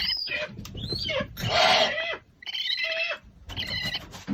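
American Barn Owl giving several harsh, shrill screeches about a second apart, the loudest a hoarse, hissing scream in the middle.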